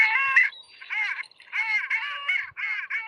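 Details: A Long-tailed Duck recording, played quietly from a device in a winter bird lesson; the species is heard in winter on Lake Ontario. Nasal, yodelling notes in half-second bursts, repeated five or six times with short pauses.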